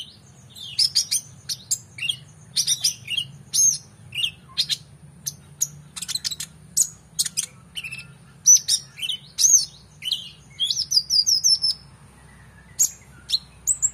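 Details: Energetic brown-throated sunbird singing, used to tutor competition birds: a long run of thin, high chirps and rapid twitters in irregular clusters, several notes every second, over a faint low hum.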